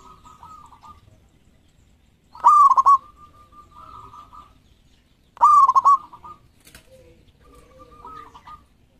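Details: Vigorous song of a champion local zebra dove. Two loud bursts of rapid stuttered coos about three seconds apart, each tailed by softer, level trilling, with faint lower cooing notes in the background.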